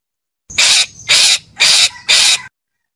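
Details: Parakeet calling: four loud harsh screeching bursts, each about a third of a second long, repeated roughly every half second, broadband and raspy with no other sounds around them.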